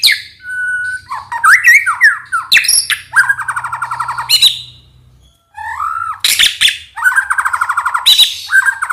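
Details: Agitated White-rumped shama song used to stir males to answer. A flat whistle, then twisting slurred notes and long rasping rattles, with a short silence midway before harsh bursts resume.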